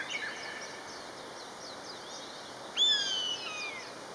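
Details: A pair of common buzzards calls back and forth. Faint, short downward-slurred whistles come first, then a loud, clear, harmonic-rich mewing whistle that starts sharply and slowly falls in pitch over about half a second.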